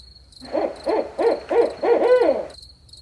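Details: At night a barred owl gives five evenly spaced, hollow hoots followed by a longer, sliding final hoot that drops away, with the thin, steady trill of crickets underneath.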